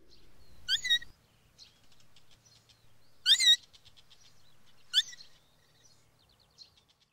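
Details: A young Long-eared Owl gives its breeding-season begging call, three high, squeaky, rising-and-falling notes like a creaking gate hinge, spaced about two seconds apart, with faint background hiss.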